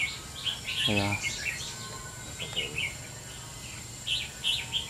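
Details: Caged red-whiskered bulbuls in a singing contest against many older birds trade short, bright warbled phrases in quick bursts, answering one another, with a man's voice briefly audible.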